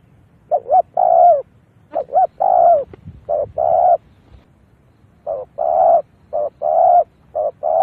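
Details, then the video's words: Lure recording of a spotted dove for drawing in wild doves. Mellow, resonant coos come in phrases of quick short notes, each ending in a longer sustained coo. The phrases are separated by short pauses, with a silent background. "Tiếng chim cu gáy mồi rút bổi"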